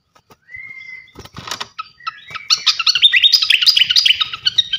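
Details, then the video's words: Loud song of a champion fantail flycatcher for training: an even whistle and a lower note, then a fast, dense stream of high chirps and twitters. "gacoan ngeplong masteran asah mental burung jawara khas srikatan kipas"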